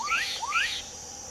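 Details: Black-capped Donacobius (Donacobius atricapilla), a marsh bird always tied to watery habitats, singing two loud, rising whistled notes in quick succession, each sweeping upward, over a faint background hiss.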